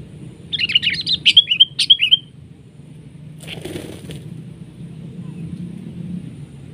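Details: Sooty-headed bulbul grappling with a decoy bird while being trapped; a quick burst of high chattering, wavering notes runs for under two seconds, then a rush of flapping wings, over a low steady hum.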